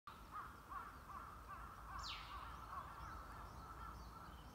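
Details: White-browed laughingthrush calls recorded in April 2022: a string of short, clipped notes repeated at a steady pace, with one sharp descending squeal midway and a constant low background rumble.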